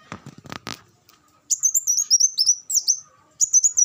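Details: A couple of dull thumps come first, then a Van Hasselt's sunbird bursts into a rapid, very high twittering phrase of thin slurred notes, pauses, and starts another.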